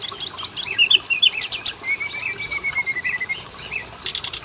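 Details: Oriental magpie-robin (kacer) lure song meant to set both sexes singing: fast clipped notes, a long level whistle, then a bright buzzy high note and a final burst of sharp clicks.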